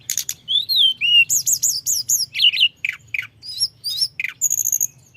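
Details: Mountain flowerpecker in full rolling song meant to rile up rival birds, a varied run of high sweet whistles, rapid rising-falling chirps and sharp slurred notes, over a faint steady low hum.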